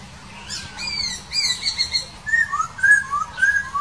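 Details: Wild laughingthrush singing: clear whistled notes sliding up and down, early high slurred phrases giving way to a run of rising and falling mid-pitched whistles, repeated at an irregular pace with a low background hum.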